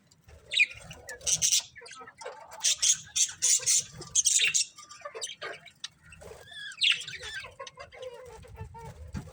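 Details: Colourful budgies chattering, with bursts of scratchy, high, buzzy notes broken by short pauses and a few lower warbled tones near the end.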